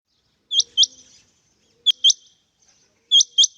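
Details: Male rain quail calling: sharp, high, metallic double notes, 'whit-whit', repeated in pairs about every 1.3 seconds against an otherwise quiet background.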